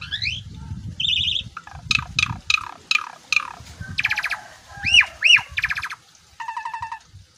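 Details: Asian pied starling singing in full voice with a song packed with imitations, puffing itself up; varied phrases of rapid buzzy trills, sharp downslurred whistles, rattling stacked notes and two rising-falling whistled loops, over faint low rumble.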